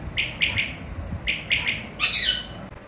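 A quail gives two quick three-note phrases of sharp, high liquid notes, followed by a harsher, broader chirp.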